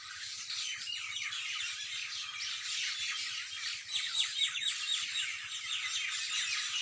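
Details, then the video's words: Many birds singing together in the early morning: a dense, continuous chorus of overlapping high chirps, trills and short whistled notes. No other sounds stand out. "Birds Best singing in early morning"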